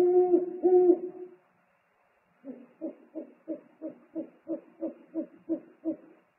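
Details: During a food delivery at the nest, 3 March 2019, two loud wavering hoots are answered after a pause by a softer, steady series of short low pulses.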